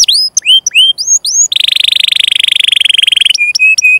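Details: Canary song meant for tutoring young or silent canaries: a few looping whistled notes, then a long rapid buzzy trill, ending in short flat whistled notes.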